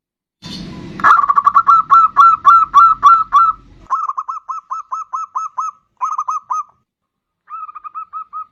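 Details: Zebra dove song as a lure: after a click, a fast series of loud coo notes, then shorter groups of quieter coos separated by brief pauses.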